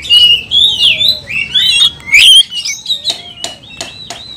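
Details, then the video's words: Oriental magpie-robin singing agitated, over-emotional kanibal, mbagong and salto style, provoking other magpie-robins: bright slurred whistles rising and falling through the first half, then a string of sharp clicking notes with thin whistles. "Kicauan kacer kanibal, mbagong, salto, over emosi bikin kacer lain tambah emosi dan gacor"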